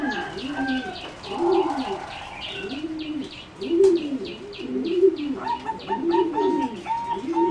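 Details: Zebra doves bred as competition singing doves, in a flight cage, giving low arched coos repeated in phrases, overlapped by several birds, with a steady buzzy background chirping from other small birds and a higher whistled note train later.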